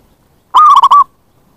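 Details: Zebra dove lure call used to attract wild birds: one short, clear, whistled phrase of about half a second, broken into four quick bubbling notes at a steady pitch, with a quiet background.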